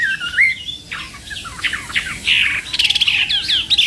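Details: Chinese hwamei trained for singing contests, morning practice: rich whistled notes mixed with rough, squawky phrases and a quick clicking burst, each motif changing rapidly.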